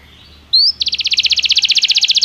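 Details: Belgian canary singing, used as training stimulation: a brief high upslurred note, then a fast, even trill of rapidly repeated high notes that grows steadily louder until the end.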